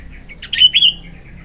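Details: Morning song of an actively singing sooty-headed bulbul, kept for luring and tutoring birds: one short phrase of a few quick chirps running into a clear, slightly falling whistled note.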